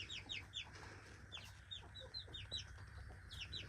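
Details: Young backyard chickens at breakfast time: a flock of chicks gives rapid, high, downward-slurred peeps, several per second and overlapping, over a steady low hum.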